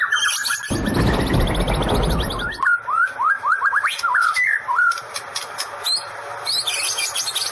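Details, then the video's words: White-rumped shama song with high rapid notes, broken by a loud rough noise burst lasting about two seconds, then a series of short slurred whistles and scattered high ticks. "Murai mengeluarakan sambaran Listrik"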